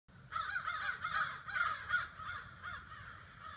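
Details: Crows from a flock of about 30 to 40 gathering in trees in front of a house in the evening, giving dense overlapping harsh caws that run almost continuously, with a low background rumble.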